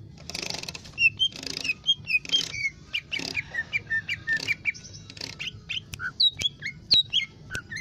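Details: Lesser green leafbird (cucak ijo mini) in vigorous song for tutoring: varied whistled phrases mixed with hissy, scratchy bursts early on, then cleaner sharp swooping notes and chips toward the end, with a low hum underneath.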